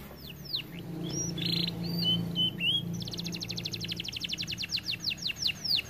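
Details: Canary, described as too fat and lazy to sing, delivering a few scattered whistles and a buzzy note, then a long, rapid rolling trill of sharp descending sweeps over a low steady hum.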